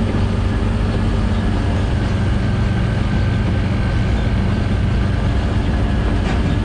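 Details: Loud, steady vehicle engine drone with a deep rumble, and no animal sounds.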